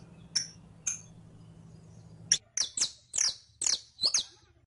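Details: Saffron finch song for teaching captive birds: two isolated, piercing high chips, then a run of six rapid, slightly descending notes, with a faint low hum early on.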